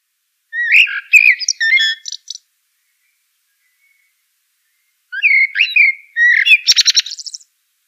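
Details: Common blackbird singing two separate phrases, each opening with mellow fluted warbling and ending in a thin, squeaky high twitter, divided by several seconds of clean silence.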